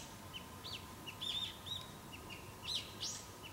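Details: Brown-eared bulbul, though the recordist was unsure of the species, calling noisily: loud, shrill chirps and slurred notes in quick, irregular bursts over a faint steady hum.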